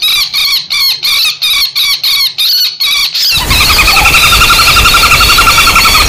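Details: Common flameback lure recording combining fighting and distress screams to attract wild birds: fast bursts of shrill, harsh screeching notes repeated about three times a second, then a loud continuous rattling, trilled scream with strong harmonics.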